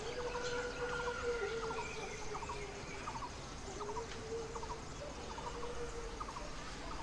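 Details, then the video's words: Blue-throated Barbet calling in the background in the Himalayan foothills in summer, while a Red-billed Blue Magpie feeds four chicks at its nest: quick clustered notes repeated steadily about every half second, with a long, steady lower tone running underneath. "With a Blue-throated Barbet calling in the background"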